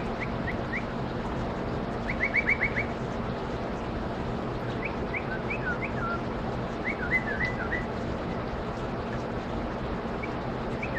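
A bulbul gives short, bright whistled chirps and quick trilled bursts in a mimicking song, set against a steady low rumble of traffic or machinery.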